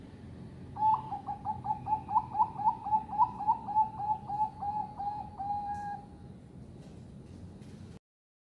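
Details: Caged female Bangkok zebra dove giving a quick series of soft, rolling low coos, about a dozen notes ending in a longer drawn note, over a noisy room background.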